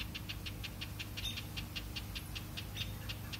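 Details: House wren pair near a nest of hatched chicks about two days old, warning an intruder to stay back: rapid dry chattering notes repeated about five times a second without pause, over a low steady rumble.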